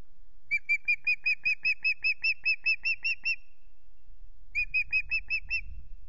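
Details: At Loch Garten on 17 April, a handsome new male osprey calls in the evening sun, giving a long even series of shrill whistled yelps, a brief silence, then a shorter burst, with low wind rumble.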